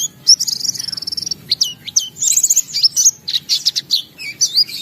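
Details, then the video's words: White-eye gacor song with isian: a high buzzy trill, then varied thin, sharply modulated chirps and twitters in quick succession, very high in pitch. "Suara Burung Pleci Gacor Buka Paruh Bongkar Isian"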